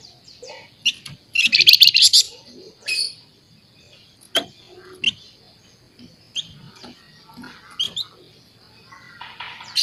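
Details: Scaly-breasted munia, called flamboyan, chattering busily in nyerecet style: one strong buzzy rattle early on, then many sharp separate chips and clicks scattered over ten seconds.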